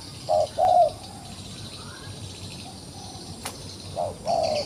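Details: Wild pigeon, trapped yet still fighting, gives two short soft hooting coos. A quiet stretch with faint rustling follows, then two more coos near the end.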